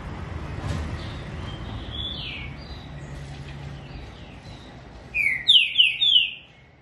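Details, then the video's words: A tame, caged green-winged saltator (trinca-ferro) sings softer whistles, then a loud, clear phrase of three or four descending whistled notes near the end, over low background hum. "TRINCA-FERRO LINDA CANTORIA"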